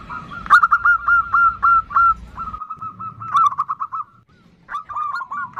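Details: Calling female zebra dove (perkutut) producing the nutut sound to draw a male: quick strings of short, slightly upslurred notes at an even mid pitch, a louder burst at the start, low background noise underneath.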